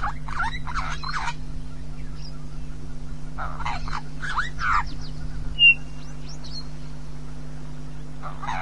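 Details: A red-billed hornbill at Djuma, calling amid display and grooming, gives bursts of rapid clucking notes in quick series, pausing between bouts, over a steady low hum with a brief high whistle from another bird.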